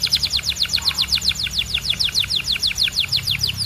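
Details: Canary singing a fast run of repeated descending whistled notes, about six per second, high and clear, steady throughout with faint low hum beneath.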